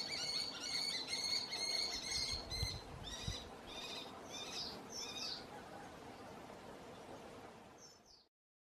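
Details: Canary Islands kestrel on La Palma (Tijarafe), call and mating sounds: a fast, shrill, whining trill, then slower sharp squealing notes about twice a second that fade out; soft wind rumble behind.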